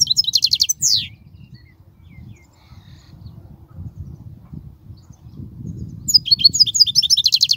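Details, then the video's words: European goldfinch song used to teach young goldfinches: a short burst of high, rapid twittering notes with a falling slur, a long pause with low background rumble, then a fresh run of fast, bright twitters. "تغريد الحسون"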